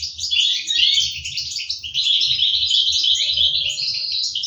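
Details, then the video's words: European goldfinch young in an aviary in 2023, fed by the adult birds; an unbroken stream of high, rasping chirps and twitters, evenly loud, with soft low rumbling underneath. "طيور الحسون تطعم الفراخ في السلاكة"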